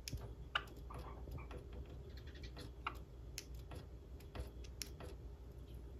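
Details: A Java sparrow's uncut courtship display with no background music: dry clicks and faint tinkling notes in an irregular patter, gradually falling into rhythm and timing, though the courtship ends in failure, over a steady low room hum.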